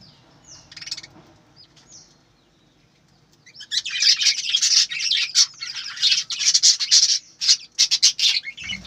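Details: Budgerigars on a breeding farm: a few soft whistled notes, a quiet gap, then a loud, busy stretch of scratchy, buzzy chirps and squawks until the end.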